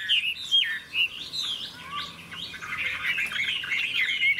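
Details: Singing for a contest (hót đấu), a bright golden hwamei with a big tail that works its wings; bold, separate fluting whistles with curling slides, then a continuous warbling run of mellow notes.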